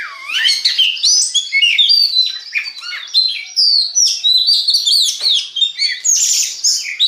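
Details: Song of an Oriental magpie-robin, played to prompt other magpie-robins into singing: a continuous, varied stream of high whistled slurs, quick chirps and scratchy notes in rapid succession.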